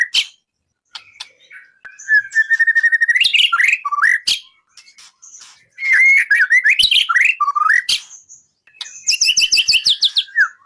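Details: White-rumped shama, a training recording for songbird contests: varied whistled song mixing steady rattling trills near the middle pitch, looping slurred whistles and high bursts of rapid notes, with short pauses between phrases.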